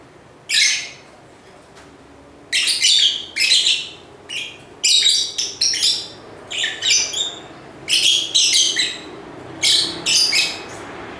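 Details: Lively lovebird chirping across the recording: about a dozen sharp, rasping high bursts, some paired, spaced irregularly by short pauses over faint background hiss.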